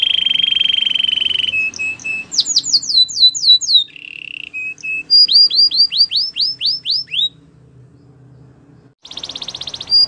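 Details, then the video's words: Canary song opens with a long rolling buzz, then clipped notes, a burst of falling sweeps, a short low roll and a run of rising-then-falling whistles, pausing before another buzzy roll; faint background hum. "All the canaries will sing a long | Canary singing birds sounds at its best"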